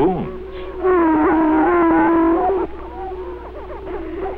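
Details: A male greater prairie-chicken in Benton County, Missouri, inflates his air sacs and raises his pinnae to boom, a low, hollow, moaning call of nearly two seconds, audible a mile away; fainter wavering calls follow over a hissy 1948 recording.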